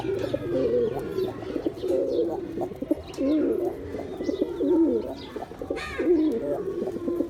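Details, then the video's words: Rolling, guttural coos from male pigeons run almost continuously, swelling and fading in waves, with a few faint higher chirps above. "Pigeon sounds attract pigeons || Male pigeon Sound"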